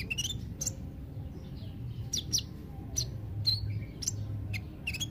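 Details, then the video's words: Kolibri ninja sunbird giving scattered high, sharp chirps and thin whistles in short bursts, with soft gaps between, above a low background hum. "Terapi kolibri ninja (konin ) yg males bunyi"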